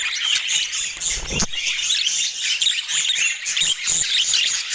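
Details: Dense budgerigar chatter of high, squeaky chirps and scratchy warbles runs without pause, with one low thump just before the midpoint.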